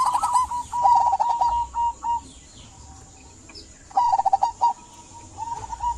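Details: Local zebra dove singing as a lure for quiet doves; a run of quick, purring coo notes, a pause of about two seconds, then another bubbling phrase and a softer trailing coo.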